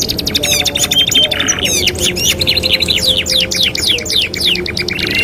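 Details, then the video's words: Training master song of a canary: fast chattering trills and sweeping high whistled notes, about four per second, in tight overlapping phrases with a brief buzzy rattle. "TERAPI MASTERAN KENARI 2 IN 1 | CANARY SINGING"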